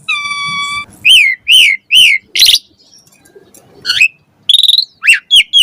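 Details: Varied Asian pied starling song meant to make caged birds sing actively: a held steady whistle, then a series of rapid slurred whistled notes, a harsh burst, and quick chirps after a brief lull.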